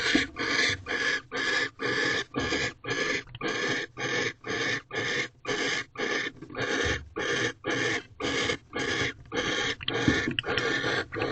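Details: At night in a Corral owl box on 2/18/23, barn owls on their second night of mating while the male brings another mouse; long run of rapid, noisy hissing screeches, about two per second, evenly spaced.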